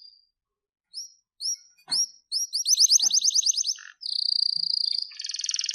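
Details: Singing canary: spaced sliding chirps speed up into a fast rhythmic trill, then a long even buzzy rattle and a harsh broad roll, with faint clicks between phrases.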